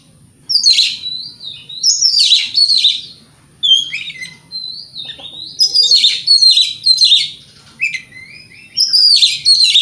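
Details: White-rumped shama singing to provoke other shamas: dense, loud phrases of mixed whistles and scratchy notes, each lasting about a second, repeated in clusters with short pauses.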